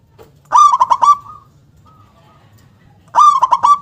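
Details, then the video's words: Two loud song phrases from a local zebra dove with a powerful, punchy 'KUNG' delivery: a quick stammer of coos drawn out into a steady tone, a faint distant coo between them. "perkutut lokal gacor suara besar nyentak KUNG power kencang"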